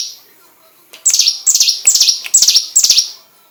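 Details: Singing hill prinia, a recording used to train white-rumped shamas: after a faint start, five loud, clipped, downward-sweeping chirps follow in an even run, each slightly buzzy, spaced under half a second apart.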